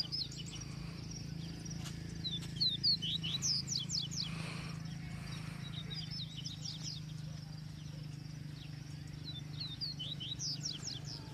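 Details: Caged double-collared seedeater (coleiro, papa-capim), set out for a sun bath and being readied for a song tournament, singing the viviti style: repeated bursts of quick, sharp descending whistled notes with short gaps, over a low steady hum.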